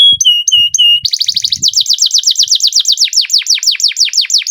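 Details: Canary in a long roll: a few steady whistled notes, then a fast stuttering trill that turns into rapid, evenly spaced downslurred notes.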